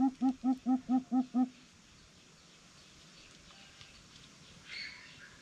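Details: Greater coucal in a bird described as a challenging 'super coucal': six deep, hollow hoots in an even, quick series lasting about a second and a half, then quiet background with a faint distant sound near the end.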